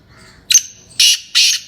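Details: Black francolin, called Sindhi kala tetar, giving a brief harsh phrase: a short scratchy note followed by two loud, grating, buzzy notes about a third of a second apart, over a quiet background.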